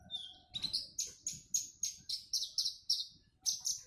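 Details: While being sunned in its cage, a Javan bush lark repeats a sharp high chirped note about three times a second in an even series after an opening whistle, against a quiet background.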